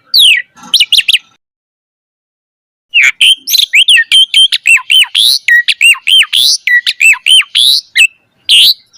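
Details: Javan pied starling song for tutoring young birds: a brief whistled opening, a pause of over a second, then a fast steady string of repeated looping whistles and chips, roughly two per second.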